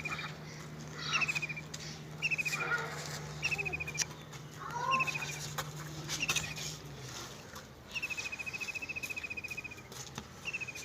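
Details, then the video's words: Birds singing in a village, mainly short high buzzy trill phrases repeated about once a second, with brief whistled notes between and a steady low hum fading out after seven seconds. "Birds Singing in a Village"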